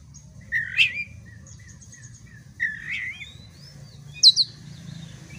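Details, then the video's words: Oriental magpie-robin (kacer) bait song played to provoke fighting: two rich, buzzy warbled phrases about two seconds apart, then a quick double high chirp, with soft whistles and a light background hum. "pancingan kacer agar tarung"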